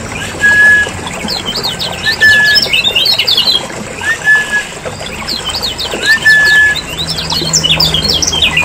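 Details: Noisy chorus of lemon-bellied white-eyes from Lombok, used as a lure to make birds sing: dense bursts of sharp rising and falling chirps, with occasional short level whistled notes.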